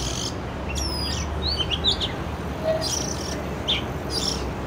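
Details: Oriental magpie-robin in an urban setting, recorded with a Canon R6: long falling whistles, quick chips and varied short phrases over a steady background rumble.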